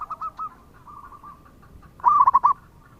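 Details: Singing local zebra dove used as a lure: soft repeated coo notes at the start, then one loud, rapid, rolling coo burst.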